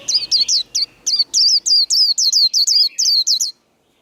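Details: A white-eye fires off the líu contest song, more than a dozen sharp, high, falling whistles packed closely together, then goes silent.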